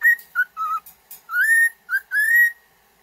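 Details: Cockatiel song for training a pet bird to sing: short whistled notes alternate with longer, smoothly rising whistles, clear and tonal, with brief pauses between phrases.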